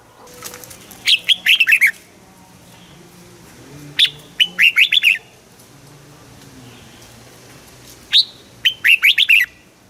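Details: Red-whiskered bulbul from Thailand singing its southern master-style song, played for caged birds to answer and for chicks to learn: three lively phrases of bright, down-slurred whistles about four seconds apart, light background hum.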